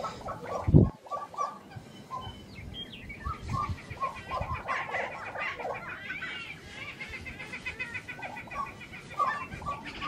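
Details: Grouse at a lek in Colorado in April 2023: many short clucking notes overlap in a chorus, some mid-pitched and some higher and chirpy, repeated irregularly, with a loud bump near the start and steady background rumble.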